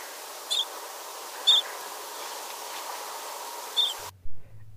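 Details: Tibetan rosefinch (Carpodacus roborowskii) giving three brief, high, sharp chirps, two a second apart and a third after a pause, over steady hiss, cut off by a low hum.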